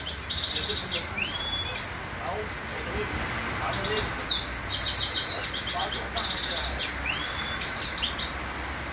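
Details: A grey-crowned goldfinch in Khujand sings a bright, tinkling run of rapid twittering notes with buzzy trills and quick rising slurs, in bursts every few seconds.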